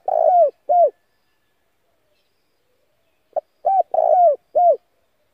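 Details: Spotted dove decoy calling to lure wild doves: two quick phrases of soft, hollow coos, a slurred rolling coo followed by a clean descending one, with a short pause between them.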